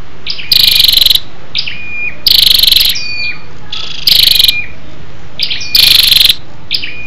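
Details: {'t': 'Female scarlet-backed flowerpecker giving a lure call to excite males: four loud, high, stuttering tick-bursts, each about half a second long, separated by brief thin descending whistles, over a steady low background hum.'}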